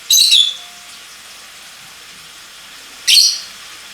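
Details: Lovebirds singing: two short, bright, high chirps, one at the start and one about three seconds later, with quiet between them.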